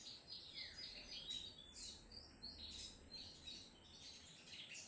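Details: Energetic song of a sogon trotol, the crimson sunbird, made of rapid high-pitched tweets and sibilant trills, with a faint falling whistle early on and bursts of brighter chirps throughout.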